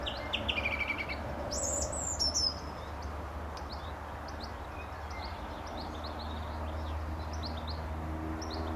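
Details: Song thrush singing close by from a telephone wire at a gravel pit near St Albans, England, in May 2012: a quick burst of sharp, high whistled and chirping phrases in the first few seconds, then quieter scattered high notes over steady low rumble.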